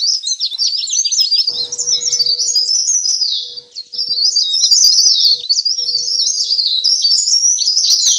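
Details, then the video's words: Leaf warbler lure call, pare-pare ribut, meant to draw wild birds. Sharp descending chips and bright tangled twitters come almost continuously, with a short lull near three and a half seconds. A low faint tone hums intermittently. "suara pikat burung cikrak daun/ pare-pare ribut"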